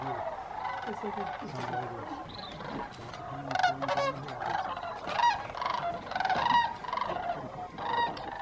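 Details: Huge migrating flocks of Sandhill Cranes keep arriving at Jasper-Pulaski Fish & Wildlife Area, Indiana, on 9 October 2022, giving overlapping rolling, trumpeting calls in a continuous chorus of rattling bugles, with faint human voices underneath.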